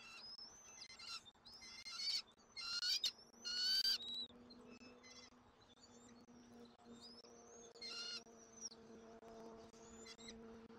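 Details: Bald eagle nest in Southwest Florida during an eaglet's dinner, 13 January 2024. A few loud, shrill squeals early on, then softer thin whistled notes scattered through, over a steady low electrical hum.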